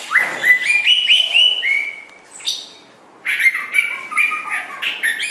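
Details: Training recording of a white-rumped shama: bright whistled phrases with sliding notes, a short pause, then a rapid run of ringing, chattering notes.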